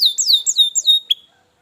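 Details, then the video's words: Short canary phrase meant to get a lazy canary singing: several loud, clear downward-sliding whistles in quick succession, ending with one brief sharp note and silence. "masteran kenari malas bunyi"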